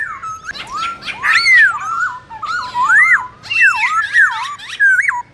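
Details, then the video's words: Provocative competition singing by a black-throated laughingthrush in many voices: loud whistled arcs and swoops, phrases rising then dropping in quick sequence, separated by short gaps. "Khướu bạc má hót đấu nhiều giọng kích bổi cực sung"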